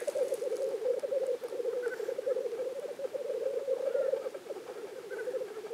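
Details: Black grouse at the lek in Innvik, 2014: an unbroken, dove-like rolling bubble of low cooing, with only faint traces of higher sound now and then.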